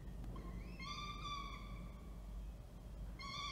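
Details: Falcon at Orange, New South Wales, 19 October 2024, as the male arrives with food and the female feeds; a long steady harmonic wail lasting over a second, then a second call begins after a pause.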